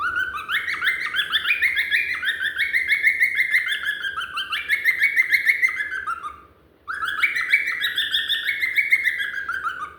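A cockatiel sings a long run of bright, warbling whistles with rising and falling phrases.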